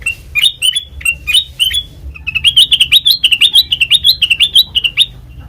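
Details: Black-crested bulbul lure song for trapping: a few spaced, sharp upslurred chirps, then a dense, rapid series of bouncing two-note phrases rising slightly in pitch, loud and clear over faint low hum.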